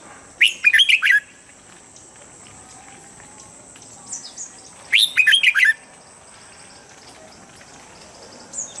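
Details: Red-whiskered bulbul standard song for morning voice training that helps birds reach form quickly: two similar bursts of rapid, bubbling whistled notes about four seconds apart, with a softer call between and another at the end.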